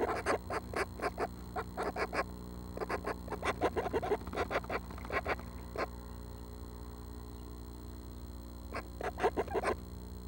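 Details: Nestling Northern Flickers, seven young close to fledging, call inside the nest at dawn on June 12 with quick runs of harsh rasping notes, a pause, then another burst, against a constant background hum.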